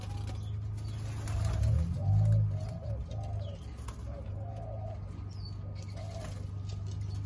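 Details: Spotted doves in Thailand, some of them young, recorded 19 September 2023: a run of soft, low, hollow cooing notes, each short and slightly rising, repeated roughly every half second, over a steady low hum and faint high chirps.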